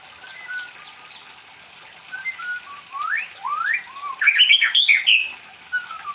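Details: A pampered white-rumped shama kept as a pet sings persistently, apparently asking for company. Soft short whistles build into rising sweeps, then a loud, dense burst of chattering, twisting notes, ending with a quiet falling whistle.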